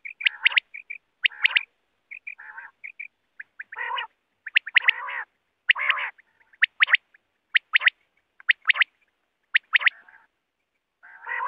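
Quail calling in irregular bursts of harsh, grating high notes, mixed with softer nasal notes, roughly one a second; nothing else is heard.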